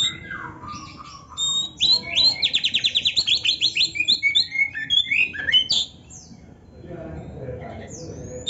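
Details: Oriental magpie-robin song played to train songbirds: falling whistles open into a fast, regular rattle-like series of repeated notes, then varied sharp chirps before quieting.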